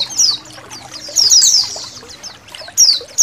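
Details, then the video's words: White-eye colony chirping beside trickling water for training caged songbirds; a few bright, shrill descending twitters break through in short runs, separated by gaps filled with the gentle splash of flowing water. "MASTERAN BURUNG PLECI KOLONI"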